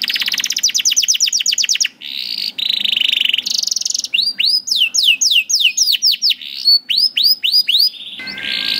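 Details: Canary song meant to coax young canaries into singing, opening with a fast high trill and buzzy tones, then spaced upward-hooked whistled notes repeated about twice a second.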